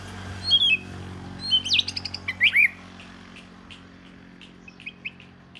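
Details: Southern Oriental magpie-robin, the home's first bird, giving a few loud, sharply slurred whistles and chips in a short burst, then faint scattered high notes over a quiet background hum.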